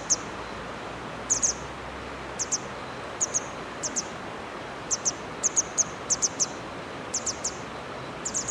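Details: Grey wagtail on a riverbank of the Hönne in Menden, Germany, giving sharp, very high metallic 'tzit' calls in pairs and triplets, about once a second over a steady rushing background.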